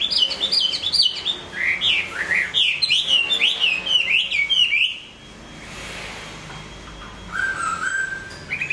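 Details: Hwamei song during moult: a fast, rich series of looping whistled notes for about five seconds, then near silence, ending with a sustained lower whistle and a brief rising note.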